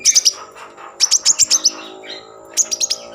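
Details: Lure song of a common iora, meant to arouse breeding mood and get others singing: three tight bursts of very high, rapid, evenly spaced chips, each volley about a second apart, over a low background tone.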